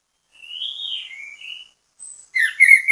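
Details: Orange-headed thrush used as bait song to prompt other birds to sing: soft whistled phrases sliding between mid and high pitch, then a brief louder burst of sharp notes at the end.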